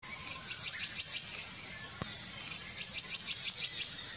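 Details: Black-naped monarch singing: two quick bursts of about six sharp, ringing notes, each note dropping in pitch, over a steady high-pitched insect drone.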